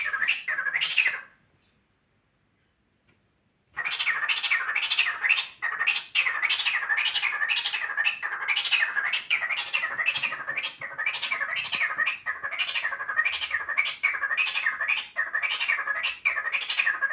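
A cockatiel gives a rapid series of rising-and-falling chirps, about four each second, after a brief pause.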